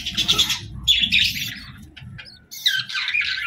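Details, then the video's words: Bird giving grating, buzzy chirp phrases in three bursts over a low background murmur. "Bird Chirping Sounds"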